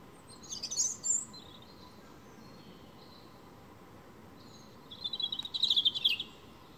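A European robin sings two thin, high warbling phrases with a long pause between them: the first sparkling and very high, the second a rapid trill. A low background rumble continues throughout.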